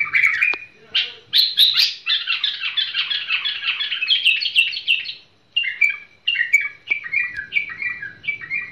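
A bulbul gives a loud, busy run of chattering, squawky notes, then a series of short warbled phrases repeated about every half second.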